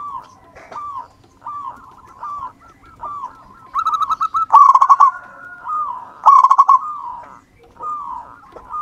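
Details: Singing local wild-type zebra dove used as a lure: a run of short falling coos about every half second, broken by two loud quick rattling trills, then more gentle coos.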